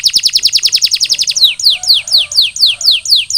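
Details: Canary after molt, singing a rapid roll of short falling notes that slows into broader downward swoops, about three per second.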